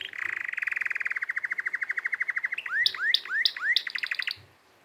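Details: Canary singing: a long even trill of rapid repeated notes, then a few loud upswept whistles with sharp clicks, ending in a quick high buzzy roll before going quiet.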